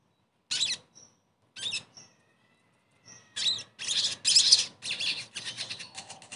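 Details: Sogon song used as therapy to get a bird that has stopped singing to sing again: short harsh high-pitched bursts separated by brief pauses, then a dense run of buzzy chirps late in the clip.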